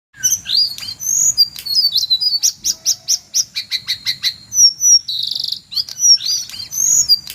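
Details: Jongkangan calling in a recording used to train white-rumped shamas: high, sharp screeching notes, then a fast run of evenly spaced clipped chips, a brief buzzy burst and thin whistled slurs.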